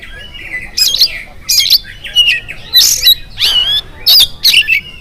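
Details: An oriental magpie-robin in morning song, used to prompt others of its kind to sing. Harsh, grating bursts mix with rising whistles in a steady series of loud phrases.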